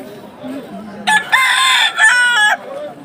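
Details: Rooster at a market crowing in a broken, stuttering series of strained harsh segments lasting about one and a half seconds, after low human voices talking nearby.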